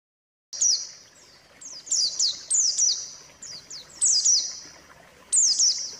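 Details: White-eye song used as a lure to get male white-eyes that have stopped singing to sing again: high, thin descending chirp phrases, loosely repeated about once a second, with short pauses between bursts.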